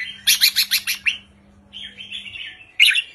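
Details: Lively red-whiskered bulbul song in the 3-4-5 counting style, meant to get caged birds excited. It opens with a fast run of about eight harsh buzzy syllables, then a drawn-out wavering whistle and a sharp final note over a faint hum.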